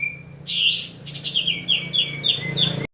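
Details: Male pied triller lure song, a loud hissing burst followed by a rapid string of short, descending whistles, ending abruptly.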